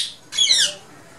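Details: Ring-necked parakeets in a colony aviary in Lahore, coming to a feed of soaked lentils. One harsh, loud screech sweeps downward and lasts about half a second, against low background noise.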